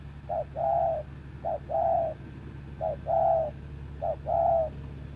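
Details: Decoy spotted dove set out to attract wild doves into a trap, cooing in a clear regular rhythm: four paired phrases, a brief note then a drawn-out mellow croon, roughly every second and a half over a low constant hum.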